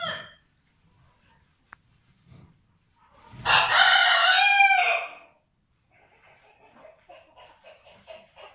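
A Vorwerk rooster gives one loud, harsh crow of nearly two seconds, rising then falling, followed by soft, steady clucking from the hens.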